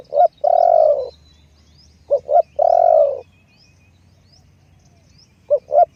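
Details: Steady cooing from a spotted dove decoy bird: paired short notes followed by a long, low, slightly falling croo, repeated about every two seconds, with faint chirps of other birds.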